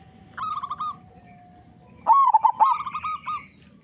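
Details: Local zebra dove with a big voice, singing as a lure to set other doves cooing: a softer series of even coo notes, then a loud bubbling, rolling phrase running into level trailing coos.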